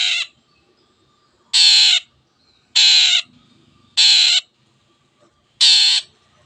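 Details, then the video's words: Long-tailed shrike (cendet) calling vigorously, said to set silent birds singing: loud, harsh, broadband rasping notes about half a second long, repeated roughly every 1.2 seconds with quiet gaps between. "CENDET GACOR MENJADIKAN YANG DIAM IKUT GACOR the sound of shrike birds"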